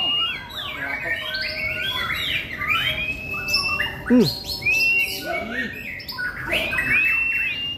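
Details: A recently moulted white-rumped shama at a competition field, not yet sunbathed and with a limited repertoire, pours out rich, varied whistles and sharp chirps with rising slurred notes; other songbirds call around it and a brief human voice intrudes.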